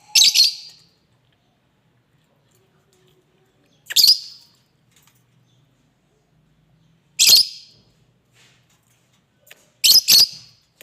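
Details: King parrot giving four loud, harsh, rasping screeches, the first three spaced about three to four seconds apart and the last a quick double burst, with silence between.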